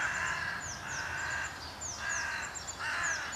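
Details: Agitated carrion crow gang in the Voßmoor on 17 April 2023, possibly upset by a kite: long, drawn-out, rasping caws follow one another almost without a break, while thin, high chirps of other birds sound in the background.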